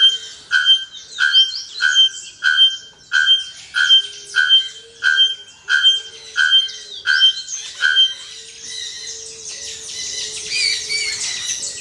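Bare-throated bellbird striking loud, metallic, anvil-like notes, about one and a half per second for eight seconds, then giving way to a rushing hiss.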